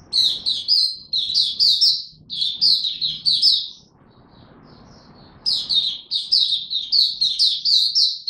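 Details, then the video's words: Oriental white-eye in 'buka tiong aw' song during form training, recorded 3 January 2022: repeated bursts of rapid, high twittering notes, a quieter gap with faint background hiss, then a lively run of chirps. "Mata Puteh Dagger ramp up form buka tiong aw sing"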